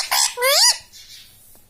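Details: Talking parrot indoors, saying "mummy" or "papa": two quick, bright syllables, the second a squeaky tone that climbs, then fades into soft room noise.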